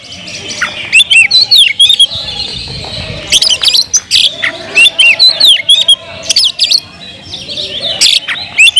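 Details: Oriental magpie-robin, a kept bird, singing loudly and busily to provoke rival magpie-robins: varied high whistled notes, slurred rising and falling phrases and sharp harsh bursts, delivered in quick irregular runs.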